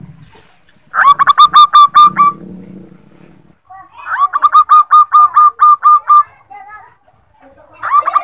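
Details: Lure recording of a female zebra dove meant to set males calling: two bouts of quick, bouncing staccato coos, each a string of about ten clipped notes, separated by a gap with a low murmuring sound underneath.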